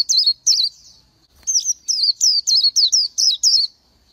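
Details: Oriental white-eye song: a few sharp high whistled notes, a short pause, then a quick string of bright wavering chirps falling in pitch, roughly three per second, in a quiet setting.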